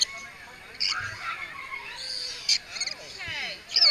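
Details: Lorikeets squabble while being fed, with harsh, grating screeches in short overlapping bursts, several birds calling at once, and a sharper shriek near the end.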